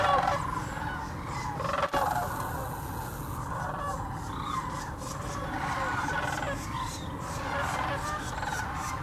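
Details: Thousands of migrating sandhill cranes gathered at Hiwassee Wildlife Refuge, Birchwood, Tennessee; continuous overlapping rattles and bugles form an even crowd chorus, broken by a brief click early on.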